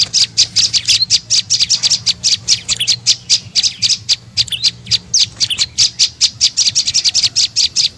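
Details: Prenjak lumut (tailorbird) lure call meant to attract birds: rapid, sharp high chirps repeated several times a second, with brief pauses and a faint low hum underneath.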